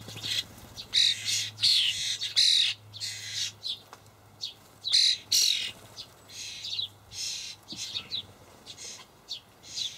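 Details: Young common starlings begging from parents carrying dried buffalo worms, Hamburg allotment garden, May 2012; dense chattering series of short scratchy squawks, some with brief whistled tones inside, coming almost continuously.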